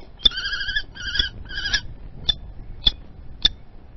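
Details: Peregrine falcon calling during a prey exchange at the nest, Théding, France, 28 April 2020: three short grating, nasal wails in quick succession, followed by three sharp isolated clicks about half a second apart.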